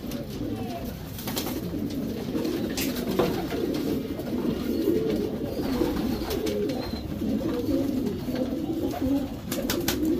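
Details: Racing Homer pigeons, a domestic pigeon breed, cooing in a breeding section: a long stretch of overlapping low, murmuring coos, with repeated sharp knocks and clatter, and a few faint higher chirps.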